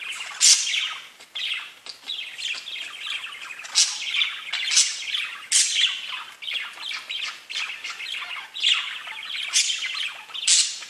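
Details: Pet budgerigars (parakeets) singing spring song chatter in a steady, high warble of chirps and clicks, broken about once a second by sharper, scratchy squawks.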